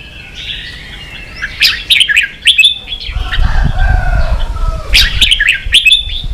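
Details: Red-whiskered bulbul roused to compete, with sharp chirps and a slurred whistle, while a low fluttering rumble like wingbeats fills the middle.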